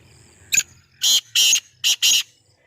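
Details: Captive Sindhi black francolin, a newly acquired pet bird, giving a harsh, grating call: one short scratchy note, then four loud rasping bursts in two pairs, high-pitched and buzzy, over a quiet low hum.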